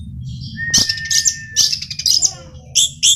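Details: Male orange-headed thrush giving a burst of dense, scratchy, high-pitched song notes. A thin steady whistle opens the phrase and loud chattering syllables recur to the end. A low background hum is present throughout.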